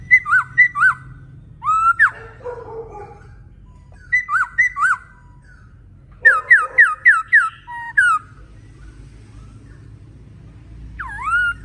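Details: Male laughingthrush singing energetically. Paired bright whistles alternate with swooping phrases and lower warbled notes. A burst of five quick descending whistles comes in the middle, and a lone looping whistle ends the passage.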